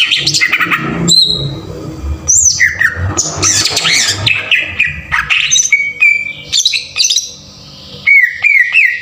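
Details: Rough-shot 'tembakan kasar' green leafbird lure for triggering song: squawky, scratchy phrases and rapid mixed notes, followed by level piping whistles repeated in short groups.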